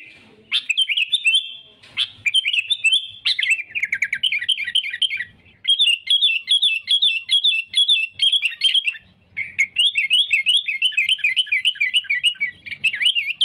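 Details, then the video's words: Sooty-headed bulbul singing persistently to draw rivals for trapping: long, dense sequences of rapid, slurred chirps rising and falling, broken by a few brief pauses, with a faint low rumble between phrases. "suara kutilang gacor cari musuh"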